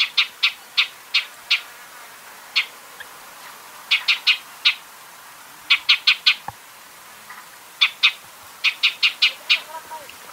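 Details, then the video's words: Shining sunbird (Cinnyris habessinicus) calling in arid desert habitat of Africa or Arabia: sharp, high chips delivered in quick clusters of three to five, separated by short pauses, over a quiet background. "Shining Sunbird’s Call"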